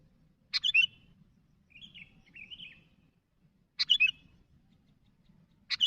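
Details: Sooty-headed bulbul calling to others, described as lively. Sharp chirp bursts at the start and middle, with wavering warbled notes between them. Faint low hum.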